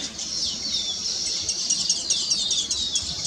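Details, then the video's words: Weaver birds singing on their finished nests, celebrating their completion; a dense, high chattering chorus of many birds with rapid overlapping tweets and trills, uneven in rhythm and continuous throughout. "Weaver Bird Songs"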